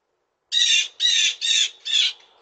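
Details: Blue jay calling: four loud, harsh, buzzy squawks in quick succession, each roughly half a second long with short gaps between, against a silent background.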